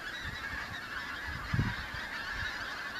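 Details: Flock of migrant pink-footed geese arriving in autumn over the Kelvin Valley, North Glasgow, 25 September 2021; unbroken overlapping nasal honking from many birds, with a low gust of wind noise midway.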